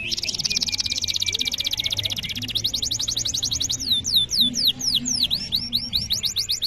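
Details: Domestic canary singing in a long master recording meant to prompt young canaries and silent canaries into song: a rapid, dense high trill rolls into faster sweeping notes that rise and fall, continuous and loud.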